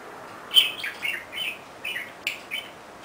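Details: Pet budgerigar chattering while excitedly swinging itself on a swing: soft, scattered warbling chirps and short squeaky notes, quiet and irregular, with gaps of silence between.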